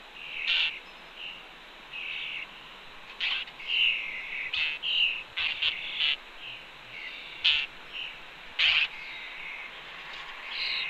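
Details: At a Cornell nest ledge, a young red-tailed hawk sits near its mother, mid-afternoon, June 2, 2013. Rough, high, wheezy calls repeat irregularly, some short and some longer, with a few sharp knocks mixed in.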